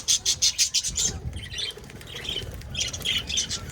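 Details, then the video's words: Pet budgies make a fast run of sharp, squawky chirps, then softer chattering tweets after a brief lull. "budgies chirping"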